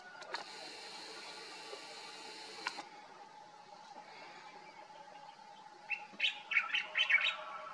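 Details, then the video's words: A Common Bulbul, filmed on a summer vacation in Morocco where it sang every morning, gives a quick run of about five bright, chirpy notes near the end, after a few seconds of steady hiss and faint background noise. "Common bulbul sound/call"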